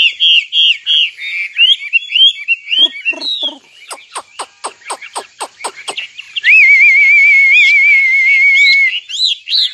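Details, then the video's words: A nightingale sings rich whistled phrases, then a rapid run of about ten sharp, repeated clicking notes, then a long rippling trill held for over two seconds. "Singing nightingale. amazing bird song"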